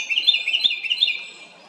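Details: A small house wren makes a loud noise: a fast, bright chattering trill of rapid repeated notes lasting about a second, then fading to quiet.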